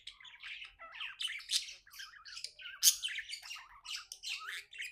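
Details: Happy pet budgerigar in steady warbling chatter: rapid twitters, buzzy squawks and one especially loud, sharp squeak midway.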